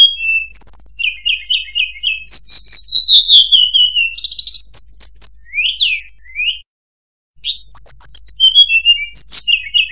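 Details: Murai buluh (tledekan) pours out a long, varied song: quick repeated chirps, descending whistle runs, buzzy stuttered notes and upslurred whistles, with one short pause before more high notes.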